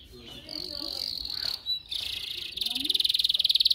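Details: A canary sings in a recording meant to train canaries: a sustained high rolling tone, a brief pause, then a buzzy roll that turns into a fast, loudening pulsed trill.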